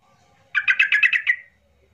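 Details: Yellow-vented bulbul song used to provoke silent birds into singing: one quick phrase of about seven bubbly, gurgling notes lasting under a second.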